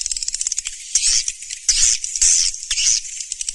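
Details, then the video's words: Swiftlet call: a rapid series of high ticking clicks interrupted by four longer, loud, rasping chirrups about every 0.7 seconds, with very little low sound beneath. "SUARA BURUNG WALET SURYA MENTARI TERBARU 2019"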